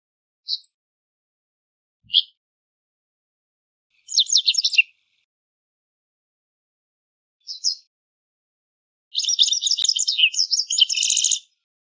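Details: Japanese wagtail (Motacilla grandis), a riverside bird, gives short high chirps, then bursts of rapid buzzy twittering phrases, the last a long jumbled run near the end; no other sounds.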